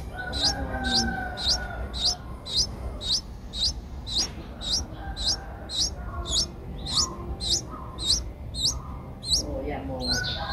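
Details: Eight-day-old Streak-eared bulbul chicks in Ubon Ratchathani, Thailand, 10 April 2023, call persistently with thin, high, rising squeaks roughly every half second, a steady series over distant crowing of a rooster and low background rumble.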